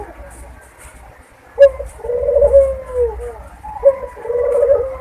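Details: Mating call of a Barbary dove, used as a lure to make doves come into breeding condition: two low rolling coos, each with a short clipped first note and a long purring, gently falling second part, over a faint low hum.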